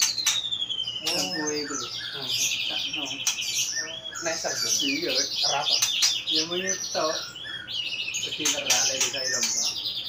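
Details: Two-year-old white-rumped shama kept in a cage, in full loud song: a long torrent of high chattering and warbled notes, rapid and varied, with clicks and occasional low notes, human voices faint underneath.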